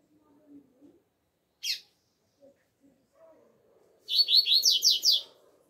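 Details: Double-collared seedeater singing outdoors in the alegria tuí tuí zeo zeo style. A single sharp chip and a few soft, low, distant sounds lead into a fast run of high, sliding whistled notes lasting over a second.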